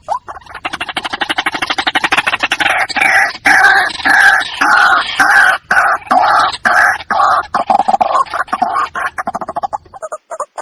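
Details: White-breasted waterhen calling its companions, a lure recording: dense, harsh, rapidly pulsed croaking runs on without a break for about ten seconds and then stops abruptly.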